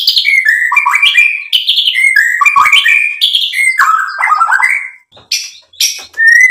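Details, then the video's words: White-rumped shama song used as a lure for other birds to sing, a rapid flow of high whistles and buzzy, falling notes, closing with a few separate sharp calls. "SUARA MURAI BATU Untuk MENAIKAN EMOSI jadi NYAUT GACOR BONGKAR MATERI ISIAN | PANCINGAN MURAI"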